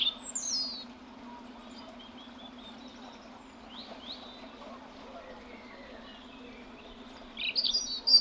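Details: A tame European Robin in the UK sings thin, high, tumbling phrases, loudest at the start and end with softer fragments between, over a steady low hum.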